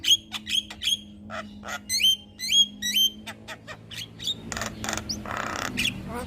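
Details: Caged Javan myna (jalak kebo) recorded singing as a master track for other birds: a repeated clear whistled note with sharp clicks, about two per second, then harsh hissing rasps and a low hum.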